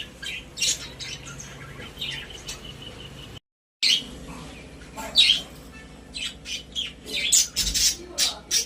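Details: Pet budgerigars in a newly decorated cage chatter with scratchy, high chirps and squawks in short, irregular bursts.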